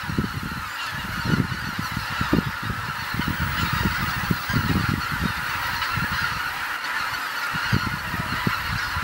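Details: Large flock of geese coming back to Kabukuri-numa marsh at sunset, a steady wall of overlapping honks and cackles throughout, with low rumbling bumps beneath the chorus.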